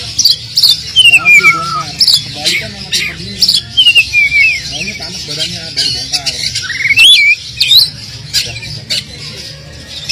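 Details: Oriental magpie-robin singing loudly and insistently, its song full of mimicked fill-ins, used to prompt silent magpie-robins to sing: quick whistled slurs, descending trills and sharp chips in bursts, over a low background hum.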